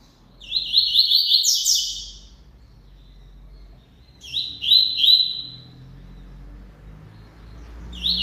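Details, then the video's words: Double-collared seedeater singing a lot: two loud phrases of fast, slurred warbled notes mixed with sharp buzzy sweeps, each about one and a half seconds long and roughly four seconds apart, with a third phrase starting at the end; faint low hum beneath. "COLEIRO CANTANDO MUITO"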